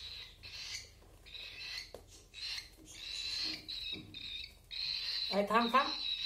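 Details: Baby cockatiels being hand fed give a continuous buzzy, wheezing begging noise broken into uneven phrases, with a person's voice cutting in near the end.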